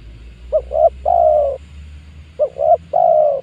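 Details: Spotted dove luring call for wild doves, 2022: two phrases of two short coos and one long mellow coo, with a steady low background hum.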